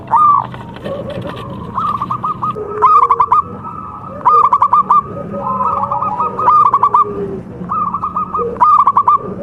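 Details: Javan local zebra doves singing contest-style phrases: short bursts of rapid staccato coos repeated every couple of seconds, overlapping softer coos from several birds.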